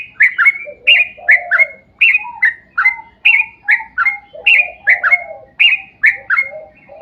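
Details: Yellow-vented bulbul in energetic long song, played to draw other bulbuls into singing: steady, lively runs of paired bright whistled notes, roughly two per second, with lower mellow notes woven between.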